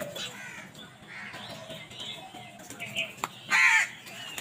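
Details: Crows fighting over food: faint chattering calls, then one loud rough caw near the end, over a continuous low background murmur.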